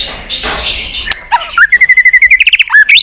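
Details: White-rumped shama singing in competition style, many voices: rapid series of loud, repeated chipping notes around mid-high pitch, about four per second, following softer warbled phrases and a brief clicking note.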